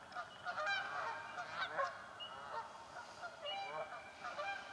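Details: Canada geese fighting for nesting spots in a swamp, harsh nasal honks repeated in overlapping bursts, several birds calling at once, a thin whistled note from another bird in the background.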